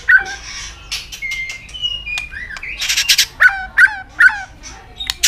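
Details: White-rumped shama in peak condition, singing hard while flicking its tail. Whistled notes, some rising and some level, alternate with three harsh, emphatic chack notes repeated about every half second.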